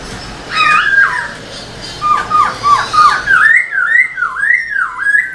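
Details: Black-throated laughingthrush in a cage, singing hard while flicking its tail: a few scratchy, falling notes over room noise give way to a clean run of rolling, wave-like whistles.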